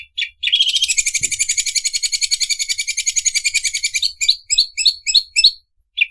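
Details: Greater green leafbird imitating a sewing machine: opening chirps lead into a rapid, even, buzzy rattle of high pulses for about three seconds, then a series of separate sharp upslurred chirps.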